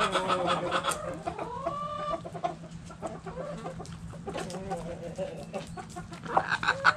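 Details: Hens and roosters in a backyard coop: a wavering, rising harmonic call, then scattered softer clucks and murmurs. A louder flurry of clucking comes at the end, with a low hum beneath.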